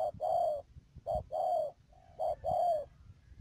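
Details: Spotted dove kept as a decoy bird for trapping in Ca Mau, Vietnam, on 12 March 2019, giving a repeated coo: a short note followed by a longer, mellow note, three times in quick succession.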